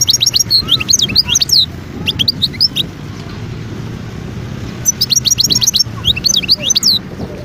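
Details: Wild European goldfinch singing near Guerbaz, Skikda, Algeria, in 2022. Two bursts of bright, tinkling twitters and short trills, each lasting about two to three seconds, separated by a quiet stretch of low hum.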